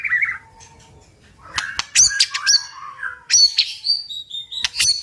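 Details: White-rumped shama giving a strong 'tach' song to provoke birds to fight: a soft whistle, a quiet pause, then sharp clicks and bright high whistled notes in bursts.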